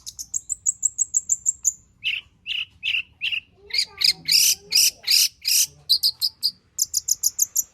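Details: Long-tailed shrike, the Indonesian cendet, in full varied song packed with borrowed material, used to coax other shrikes into singing: fast high ticking series, then lower slurred notes and loud harsh chattering bursts.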